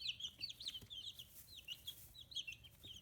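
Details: Fifteen-day-old chicks in Hiroshima Prefecture, Japan, peep in sharp falling notes, a few birds overlapping, with light rustling and tapping sounds underneath.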